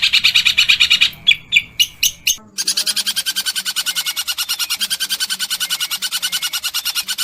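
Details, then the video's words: Long-tailed shrike masteran with tembakan kasar: harsh repeated notes, then a few slower separated chirps, a short break, and a long fast buzzy rattle resuming to the end. "MASTERAN PENTET FULL TEMBAKAN KASAR GEREJA TARUNG_TENGKEK BUTO_KUNTI!!! |SUARA JERNIH|"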